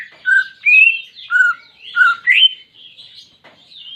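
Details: Greater green leafbird song intended to get a caged bird singing: a quick sequence of alternating low and rising whistled notes, fading into softer chatter.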